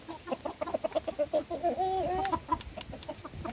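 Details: Hens being fed, a rapid series of evenly spaced short clucks, about three per second, then a longer level call that dips and rises, with more clucks after.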